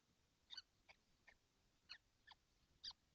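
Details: Kestrels, all seven in a nesting box on a hot day, 12 June 2025: short, harsh, scratchy calls spaced irregularly about half a second apart, quiet against a faint hiss.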